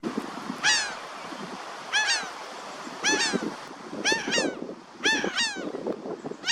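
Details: Laughing gulls outdoors on a sunny day giving nasal, downslurred calls in quick clusters of two or three notes, repeated at irregular intervals about once per second, over steady low wind-like background noise.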